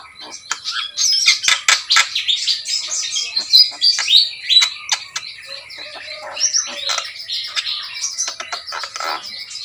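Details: Javan myna (jalak kebo) in full song, a dense, continuous stream of harsh chattering notes, squawks and sharp clicks mixed with brief whistled fragments, loud and close throughout.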